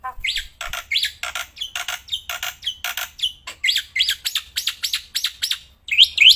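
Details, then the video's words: Black-winged myna, kept bird, singing non-stop outdoors, also while handled: a steady train of loud rising squeaky notes, roughly four per second, ending in two bright high whistles. "Burung Jalak Putih Gacorrrnya Edan gak ketolong"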